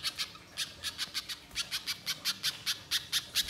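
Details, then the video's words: Spiderhunter in the wild, a long chattering lure recording: sharp, high, clipped notes repeated irregularly, about one and a half per second, over a quiet background. "Masteran Pijantung Gacor Nyerecet Panjang Untuk Suara Pikat Di Alam Liar"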